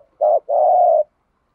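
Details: Spotted dove giving a stimulating 'thúc gù' coo, used to excite other doves into calling: a short low hooted note, a brief pause, then a longer steady level coo, with no other sounds.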